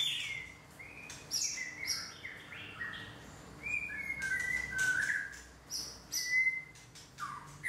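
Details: A white-rumped shama, missing his two primary tail feathers, sings a rich, varied run of clear fluting whistles and sharp chirps, changing phrase about every second, over a faint low hum.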